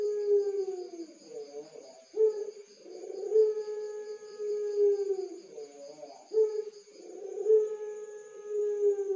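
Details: Puter pelung, a contest Barbary dove in Tulungagung, Indonesia. Its voice is deep and full: repeated long coos, each starting strongly, swelling in the middle and drawing out, with short wavering notes between phrases.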